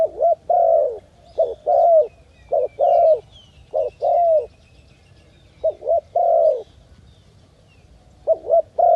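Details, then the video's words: A dove on a jungle trip cooing in low, hollow phrases, a short note or two then a longer drawn-out coo, about every two seconds, with faint high chirps of other birds behind. "The sound of dove."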